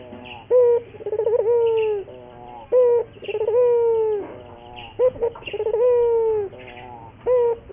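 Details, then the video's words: Lure song of a local puter dove for training birds to sing readily. A brief sharp opening note leads into a rolling trill and then a drawn-out low coo that droops at the end, cycling steadily. "pancingan burung puter gacor, melatih burung puter lokal agar cepat gacor"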